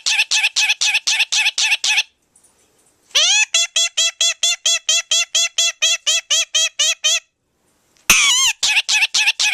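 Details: A 23-year-old male pet Indian Ringneck Parakeet talks, saying his favourite phrase 'here kitty kitty kitty', in rapid bursts of clipped, harmonic syllables, about four a second, with brief pauses between runs.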